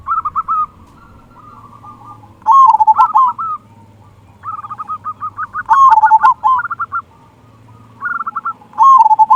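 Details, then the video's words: Local zebra dove with a deep 'kung' song, intended to stir rival doves: loud bubbling coo phrases roughly every three seconds, interleaved with softer, higher rapid cooing from other doves. "Perkutut Lokal Gacor Suara Kung Besar Pancingan Burung Perkutut Agar Bunyi"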